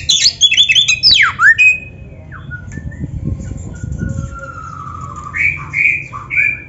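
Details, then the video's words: Kacer, an Oriental magpie-robin, in 'gacor isian' song: a quick burst of sharp falling whistles and chirps at the start, then quieter scattered whistled notes over a low rumbling background. "SUARA BURUNG KACER GACOR ISIAN‼️Masteran Kacer Gacor ini Cocok Buat Pancingan - AGAR CEPAT GACOR"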